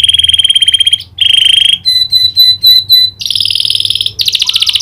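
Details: Canary singing a prinia-click filling: a rolling trill, a pause, then evenly spaced sharp clicking notes about four per second, followed by high buzzy rattles.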